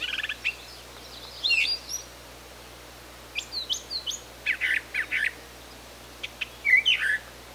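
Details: Brown thrasher singing short, sharp chirpy phrases in separate bursts, several given in quick pairs, with brief pauses between groups over a quiet, steady background hum.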